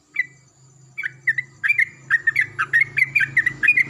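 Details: A Yellow-vented bulbul answers another bulbul in the morning with a lively sequence of liquid chirps that quickens and grows louder, over a soft low hum.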